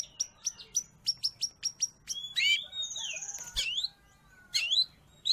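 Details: Long-tailed shrike, a recording for pet-bird training or luring in the wild: a row of evenly spaced sharp high chips, then a harsh rising slur, a long thin whistle and a final squeaky twitter.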